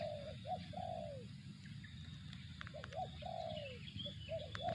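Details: Spotted dove, zong call type: paired short coos followed by a long, mellow coo dropping in pitch, given twice with a pause between. Constant low background hum and faint high bird chirps.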